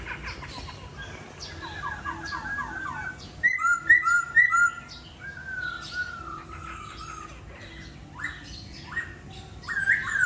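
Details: Laughingthrush kept in a cage in Hanoi, Vietnam, singing: a few short chattering notes, then bright paired whistles and a long level whistled note, with scattered harsher calls near the end.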